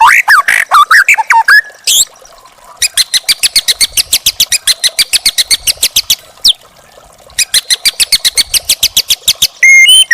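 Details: Young white-rumped shama from the forest, recorded as a training song for caged birds: bursts of bright whistles give way to long runs of rapid, evenly repeated sharp notes, ending in a clear whistled phrase.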